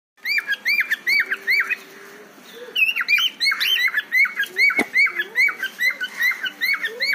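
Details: Cockatiel (Nymphicus hollandicus), mating call: male calling to attract a female.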